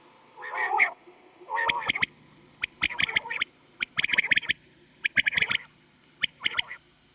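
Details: Quail calls from a night recording made for hunting, described as a very deep voice: short sharp clicky notes in clusters of two to four, repeated about once a second, with a softer, lower rasping burst at the start.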